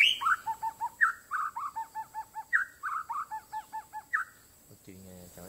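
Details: Captive white-rumped shama, a month past its moult, answering a wild shama with rhythmic repeated phrases. Each opens with a slurred high note followed by a string of evenly spaced clipped notes, about eight groups in four seconds. A human voice follows.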